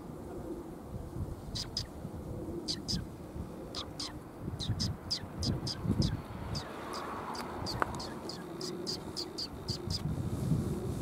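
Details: Sparrows recorded on 7 November 2021 on a walk home in Japan: short, bright chirps repeated about every half second through the recording, over a steady low rumble of background noise.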